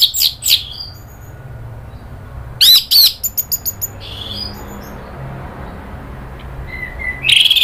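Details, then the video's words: Agitated orange-headed thrush (anis merah), Indonesia, 'nratak' then 'ngeplong' lure song: loud harsh notes open, then a quick run of short high chips, a thin buzzy phrase and soft whistles before a rasping burst. "bikin ANIS MERAH EMOSI NRATAK lanjut NGEPLONG"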